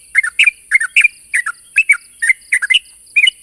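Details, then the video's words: Sooty-headed bulbul challenging a rival, giving loud, close paired chirps in quick rhythmic bursts, roughly three per second, over a constant high hiss. "suara burung trucuk memanggil lawan"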